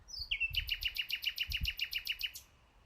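A common nightingale opens with a high whistle, then a fast, even run of about fourteen sharp, ringing notes, roughly seven per second, with faint low rumble beneath.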